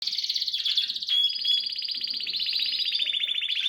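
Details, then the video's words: Harz canary, kept with red and variegated canaries, singing a continuous rolling song of fast trills around the high middle register, shifting pitch slightly partway through and holding steady rapid pulses throughout. "Harz canary sings with red and variegated"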